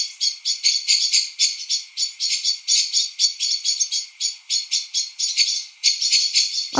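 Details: Common blackbirds in a garden in England at dusk in November 2020 give sharp, clicking chink notes about four a second in rapid, uneven chatter, possibly alarm calls, though perhaps just a bedtime call to others.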